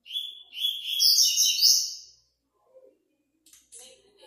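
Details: Double-collared seedeater in a stage of an online singing tournament, delivering one rapid high phrase of bright chips and buzzy trills lasting about two seconds, then silence broken by a few soft faint clicks.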